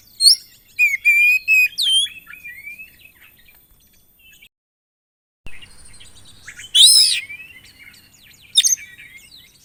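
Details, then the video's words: Excited Oriental magpie-robin singing a varied, mimicry-filled song; a run of rapid ticking notes and a rising whistle, a gap of near silence, then a loud sweeping whistled flourish followed by scratchy chips. "KACER GACOR ISIAN"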